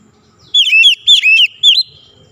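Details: Repeated shama song for training a quiet caged bird to sing daily: three quick bursts of loud whistled notes that dip and rise, with short gaps between.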